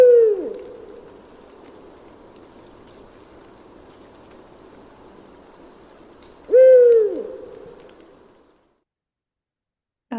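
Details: Eurasian eagle-owl (Bubo bubo) song from an eBird/All About Birds reference recording: two deep, booming hoots about six seconds apart, each falling off at the end, over a faint steady hiss.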